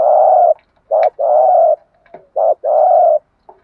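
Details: Male and female spotted doves cooing to stimulate and train a kept bird: deep, hollow coo notes in short and longer drawn-out bursts, about five in under four seconds, with brief pauses between.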